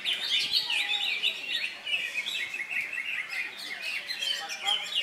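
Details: Greater green leafbird performing in a songbird competition in Indonesia, 3 September, right after molting; high, fast jumbled twitters and short whistles run without pause among other contestants.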